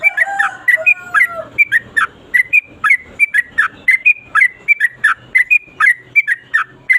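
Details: Yellow-vented bulbul singing in the 'ropel panjang' style: an unbroken run of short, sharp whistled notes, each with a quick downward slur, about three per second, with a few lower drawn-out whistles at the start.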